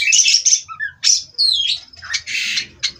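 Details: Caged Oriental magpie-robin giving scratchy high bursts, a clear falling whistle and loud rasping notes, over a faint low hum.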